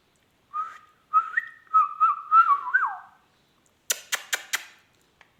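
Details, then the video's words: Talking ringneck parrot kept as a pet, giving a wavering series of whistled notes with small rising and falling bends, ending in a downward slur, followed by four dry clicks. "talking heavan beutyfull magical ringneck"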